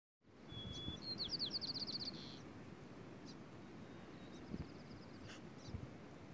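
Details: Birds on a summer evening in Fort Bragg, California, 2017, chirp in a quick, high series of bright, slurred notes, then give a thin whistled phrase, over a steady low rumble of wind or distant noise.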